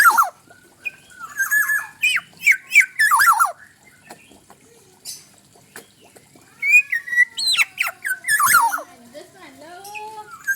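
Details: Black-naped oriole delivering bursts of mellow whistled slurs broken by harsh rasping squawks, two phrase groups separated by a quiet gap. Faint low tonal sounds run beneath the later part.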